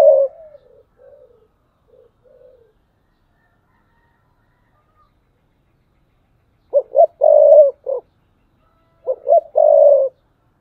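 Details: Decoy spotted dove, thúc bổi calling, 2022. Soft, short coos open the clip, then a long silence, then two loud phrases of quick double coos and a long coarse coo.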